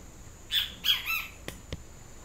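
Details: Great kiskadee with a yellow crest utters one loud three-note squawking phrase, followed by two sharp clicks.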